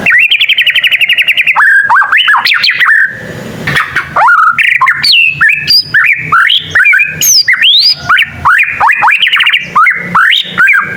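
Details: Young white-rumped shama practising song that draws answers from other shamas; opens with a fast rattling trill, then a varied stream of loud whistles, upslurs and sharp chips.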